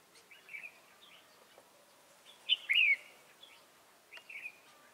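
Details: Red-whiskered bulbul used as a decoy, singing from a swinging perch on a trap hoop to lure wild birds, recorded 22 October 2018: short bright warbled phrases, one louder burst in the middle, and faint background noise.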